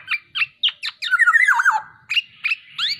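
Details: A black-naped oriole, tame and in full voice, gives spaced, crisp, high notes, then a rich gurgling whistle that dips lower. Single bright notes follow after short pauses.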